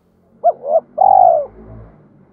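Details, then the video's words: Spotted dove cooing in the thổ voice with a fight-provoking phrase, for training wild-caught and decoy birds. A short hooked hoot, a softer rising note, then a long vibrating coo that fades, with faint low hum behind. "Tiếng chim cu gáy giọng thổ pha thúc đấu vấy bổi"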